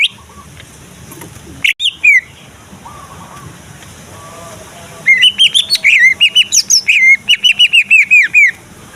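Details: Greater green leafbird, a male from Kalimantan kept for contests, singing to provoke other leafbirds into singing and fighting: after a quiet start with faint distant calls, a fast run of loud, sharp, slurred whistled notes repeated about three per second.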